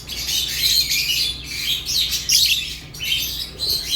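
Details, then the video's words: Lovebird chirping sounds: continuous high, scratchy chattering in bursts with brief gaps, loud and busy throughout, with a faint low hum beneath. "Love birds chirping sounds"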